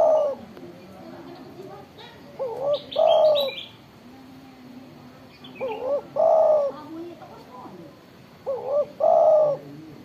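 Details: Loud, eagerly calling spotted dove (tekukur) gives three cooing phrases roughly every three seconds. Each has two quick rising notes and a drawn-out, mellow, slightly falling coo. Faint chirps from other birds sound between them.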